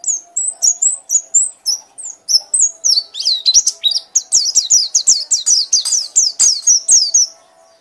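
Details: Bright white-eye song in the ngekek style: rhythmic high whistles at first, then an accelerating series of downslurred notes repeated about four times a second, over a faint steady background tone.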